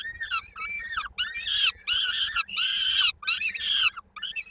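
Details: Peregrine falcon chicks in Koszalin, Poland, on 19 May 2022, waiting for their mother to bring supper; loud overlapping harsh, wavering squeals with rich harmonics, in bursts of about half a second to a second with short gaps.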